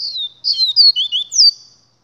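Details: Papa-capim, or double-collared seedeater, singing a rapid run of high slurred notes, some rising, some falling, in short linked phrases with brief gaps. No other sounds are heard.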